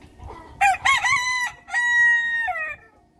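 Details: Young bantam rooster, tail feathers still growing, chained on a perch at a countryside home, gives one full morning crow: two clipped opening notes, a long held shrill note, a falling tail, faint low rumble.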